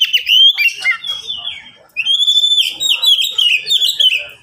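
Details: Caged Oriental magpie-robin, one of three pet birds kept in cages, singing loud whistled phrases around a sustained high note, with slurred rising and falling notes and a brief pause midway.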